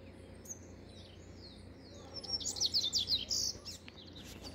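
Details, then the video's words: A Rusty-collared seedeater sings a quick, high twittering phrase of sharp slurred notes, brightest midway, over a faint low background hum. "Papa-capim coleira cantando"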